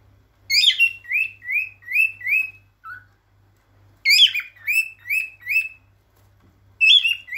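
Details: Male cockatiel singing to attract and stimulate females for mating: series of rising whistled chirps repeated about twice a second, a short lower note, a pause, then another burst of chirps.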